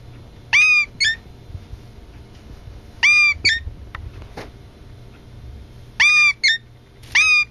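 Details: Captive brown-eared bulbul, rescued after injury and kept beside a parakeet, mimics the parakeet's speech (trying to say a name) with squeaky, rich, bent notes, a quick pair about every three seconds over a faint low hum; the very start is a human voice.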